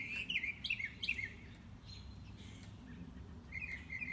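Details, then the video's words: Morning-walk mockingbird, unseen, working through its repertoire: quick warbled chirps in a cluster, a quiet gap, then a fresh burst of trilled notes, with low ambient noise underneath. "Mockingbird - Morning Walk"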